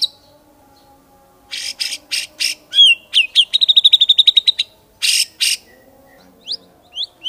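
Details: White-rumped shama singing: rapid trill of repeated notes, bursts of buzzy chatter and sharp upward-swept whistles, with a faint steady hum beneath.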